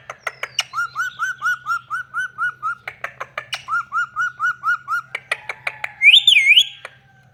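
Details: Pet ringneck parrot, a talking bird, loving and cuddling: two runs of short, evenly spaced chirped notes punctuated by sharp clicks, then a loud wavering whistle near the end, over a faint low hum.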